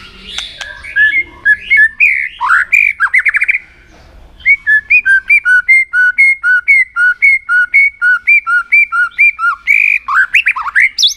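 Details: White-rumped shama trained for song contests: quick varied whistles, a short pause, then a long steady series of evenly spaced two-note whistled phrases repeated roughly three times a second, closing with sliding notes.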